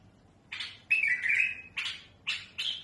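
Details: Tamed bulbul song for teaching young birds: a rough note, a clear wavering whistled phrase, then three short harsh bursts.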